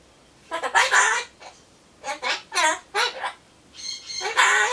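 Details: Pet Solomons corella talking to itself while waiting for pumpkin, repeating Japanese goodbye phrases; hoarse, voice-like syllables come in four separate bursts, the second stretching into a run of chattery words.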